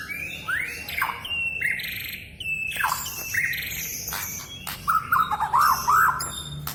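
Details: Oriental magpie-robin singing as though talking: upslurred whistles and buzzy squeaks early on, then a louder, fluttering, wavering whistled phrase near the end.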